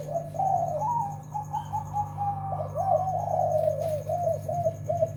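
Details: Zebra dove song: a long, rolling run of soft, bubbly coos that rise and fall, then break into quick, choppy notes near the end, over a constant low electrical-sounding hum with faint high chirps.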